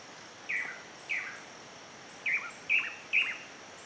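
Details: Pallid spinetail building a moss-ball nest, oddly outside the usual breeding season: five short, sharp, slightly falling notes at uneven gaps over a few seconds, with faint high insect-like hiss behind.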